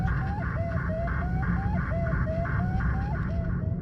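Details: Northern Saw-whet Owl monotone whistled call, broadcast over 96.7 FM radio with a distortion filter added: short slurred whistled notes repeated about twice a second, over steady low radio hum and buzz.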